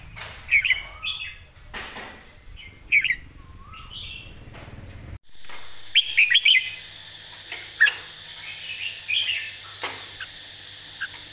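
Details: Red-whiskered bulbul, master-song style with clear emphasized phrasing: spaced bright chirped phrases and a low whistle, then after a brief break a busier run of repeated sharp notes, with a steady low hum.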